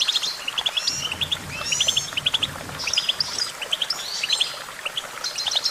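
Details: Goldfinch twittering steadily, short high tinkling notes in fast groups of three or four, with buzzy sweeping trills between and a soft low rumble in places.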